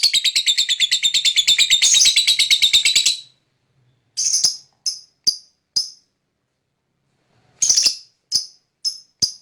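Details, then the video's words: Lovebird fighter singing in the ngekek style, played to draw other lovebirds into song: three seconds of rapid rattling high chatter, then a silence followed by spaced single sharp shrill chirps, some in quick pairs. "pancingan lovebird fighter dengan ini AMPUH ikut ngekek"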